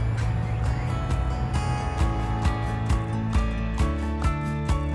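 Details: Loud instrumental music with a steady pulsing beat, rich low bass and sustained tones; no animal voice is heard.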